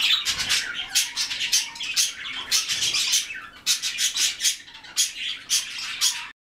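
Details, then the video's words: Several white-faced cockatiels squawking, loud grating screeches repeated in quick bursts about every half second over continuous softer chatter. "Белолицые кореллы"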